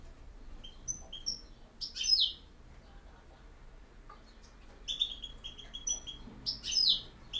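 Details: European goldfinch singing in the campero song style: sparse, short bright twittering phrases of high, slurred and ticking notes, separated by quiet pauses, with no other clear sounds.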